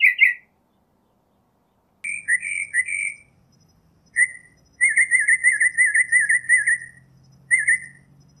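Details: Northern mockingbird song: rough notes, then a long string of quick, even, chattering trills around a steady middle pitch, broken by short pauses; a faint low hum underneath.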